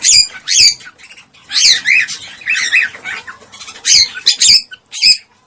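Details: Mating call of a cockatiel, used to prompt breeding. Piercing, harsh squawks come in short bursts, some doubled, with softer chatter between them.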